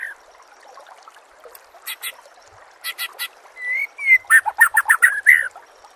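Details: Song of a white-rumped shama, compiled to train captive birds. Sharp clicking pairs open, then a smooth whistle leads into a fast burst of varied, chattering whistled notes.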